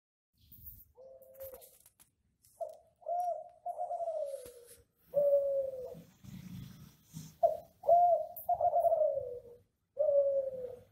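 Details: Classic Kelantan-style ringneck dove in full voice, recorded as a training track for other doves: a string of low, mellow coos, some short and rising, others drawn out and sliding downward, with brief silent gaps between phrases.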